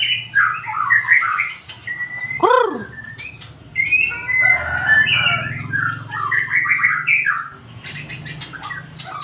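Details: White-rumped shama with a 20 cm tail, singing rich whistled phrases and bubbling warbles; a brief lower, crow-like call cuts in near the middle, with a faint low hum underneath.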